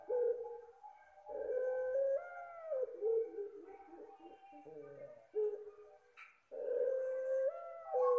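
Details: Barbary dove (puter pelung) gives soft, low, rolling coos in drawn-out phrases, some ending in a slight upward lift, used as a lure for other doves. A brief higher chirp interrupts midway.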